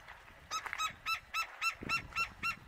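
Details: A male Gila woodpecker at the Arizona Sonora Desert Museum on 20 February 2023, calling after pecking a tree, gives about nine sharp, nasal yip notes, roughly four per second at even pitch, over faint outdoor hiss; finding: Gila woodpecker.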